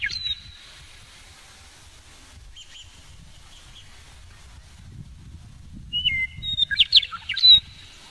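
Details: A male western meadowlark singing from low in sagebrush on a foothill trail north of Garden City on 9 April 2017 opens with a single slurred whistle, then after a gap gives a rich fluty burst of downward-tumbling gurgling whistles.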